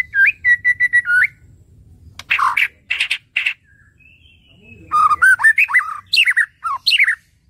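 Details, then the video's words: White-rumped shama song used to train other songbirds: a run of repeated clear whistled notes, harsh buzzy bursts, then rich varied whistles and warbles, over a faint low hum. "OCEHAN MURAI BATU"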